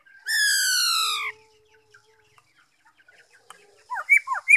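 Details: A black-throated laughingthrush (Pterorhinus chinensis) sings, recorded 5 May 2021: a drawn-out, harsh, slightly falling note opens, then after a pause come several quick, loud whistled notes slurring up and down.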